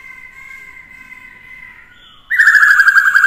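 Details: Black-throated laughingthrush singing to provoke rivals, kept with a female; after a soft held tone, a rapid loud series of repeated whistled notes, about ten in one second.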